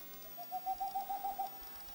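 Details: Boreal owl with a single quick series of roughly nine mellow hoots, evenly spaced and level in pitch. The notes swell after the first few and then stop abruptly, leaving near silence.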